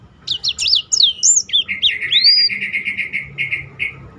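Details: Black-throated canary in song, used as a master to train other birds. Quick looping high whistles lead into a long steady chain of lower, evenly repeated buzzy notes that fades toward the end.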